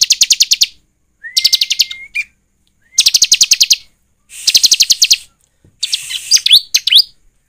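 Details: Bar-winged prinia (ciblek) song used as a lure to make birds sing: five bursts of rapid, buzzy high trills under a second long, one every ~1.5 seconds, some with a thin rising whistle before them.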